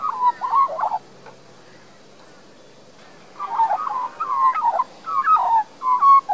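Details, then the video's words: Resident young Australian magpie singing in a garden in Queensland, Australia, recorded with a Panasonic Lumix LX7: one short warbled phrase, a long silence, then a run of repeated fluty, yodelling phrases. "Young Magpie's beautiful song"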